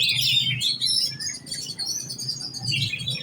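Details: Giras-type oriental magpie-robin in competition training: rapid, unbroken high song mixing sweet whistled slurs with harsher chattering notes, loud throughout with slight dips; faint low rumble in the background.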